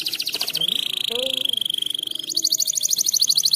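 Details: Canary song from a bird in breeding condition, to encourage mating: a quick buzzy trill, then a long level whistled tone held for over a second, followed by a fast rattling trill.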